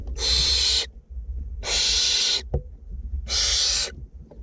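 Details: Three harsh, snoring hisses from two barn owlets being fed in a nest box, north Glasgow, evenly spaced about one and a half seconds apart, with a faint tap between.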